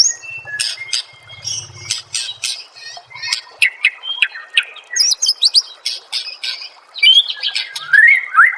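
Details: White-rumped shama master song to prompt other shamas to sing: rapid bursts of clicky, scratchy notes and high chips, ending in loud sweeping whistles, with a soft low hum early on.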